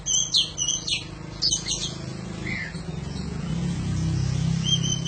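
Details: Oriental magpie-robin song for use as a master training recording for other birds: a burst of sharp high chirps and clear whistles in the first two seconds, then a few softer notes and a long whistle, over a steady low hum.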